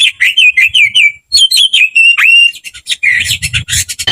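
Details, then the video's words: Aggressive fighting song of an Oriental magpie-robin, used to stir other kept magpie-robins to sing: clear whistled phrases with wavering, slurred notes, a short gap, then quicker whistles ending in scratchy chattering bursts over a soft low hum. "KICAU KACER TARUNG NGOTOR FULL ISIAN"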